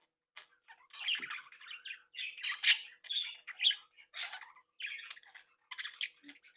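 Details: Budgerigars of a captive breeding flock, said to talk, tweet, sing and mimic; steady stream of chirps, rasping notes and warbled fragments in short bursts, several louder sharp squawks standing out, indoors.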